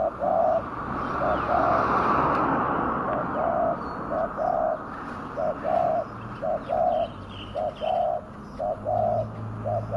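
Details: Spotted dove lure call meant to bring wild doves down: short soft coos in a steady series, roughly one per second, over a loud hissing background with faint higher chirps from other birds.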